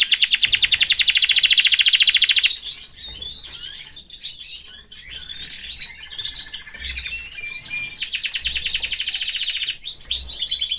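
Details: Caged canary among family members opens with a loud rolling trill, shifts into varied warbling twitters, and returns to a rapid trill near the close.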